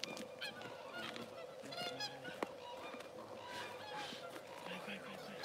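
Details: Swans calling close by at the International Crane Center in Kushiro, Japan, with cranes in the background: loud, harmonic, honking notes repeated irregularly, and people talking over them.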